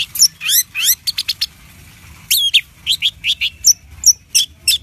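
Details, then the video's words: Orange-headed thrush singing loudly as a lure to set off another bird: a run of fast, steep rising sweeps and short chips, a brief gap, then more rising strokes and clear whistled notes. "Anis Merah Gacor nyape Telerrr!!!"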